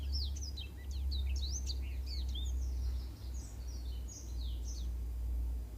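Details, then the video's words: Black-throated canary singing, used as a model song for teaching canaries. Quick high chirps and twisting whistled slurs come in a dense burst that softens toward the end, over a loud, constant low-pitched hum. "Suara Masteran Burung Blackthroat Untuk Kenari"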